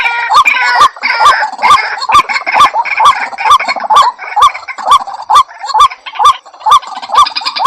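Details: White-breasted waterhen calling, a sound used to attract birds into traps: regular rising nasal notes repeated about twice a second, with crackling clicks and scattered harsher voices mainly at the start and end.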